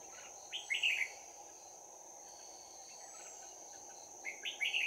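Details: Red-whiskered bulbul decoy used for trapping, with a bell-like voice, giving fighting song on 11 January 2019: two short bursts of bright warbled notes, the first near the start and another near the end, over a steady high insect drone.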